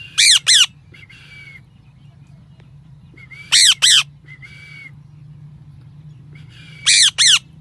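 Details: Pet parrot; three pairs of loud, piercing, harsh squawks, each pair followed by a short, level whistled note, spaced about three seconds apart with quiet between.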